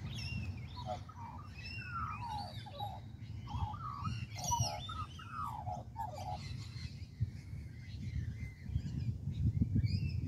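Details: Australian magpie in a tree in Kings Park, Perth, Western Australia, producing a busy jumble of warbled, bending notes over the first seven seconds, partly blended with other high chirps and steady low rumble.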